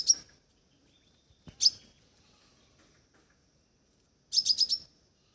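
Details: Crimson sunbird (Aethopyga siparaja), call.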